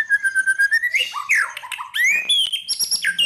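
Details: Fighter white-rumped shama lure song to provoke rivals: a steady pulsing trill climbs into a jumble of rich, rising whistles and high, ringing notes.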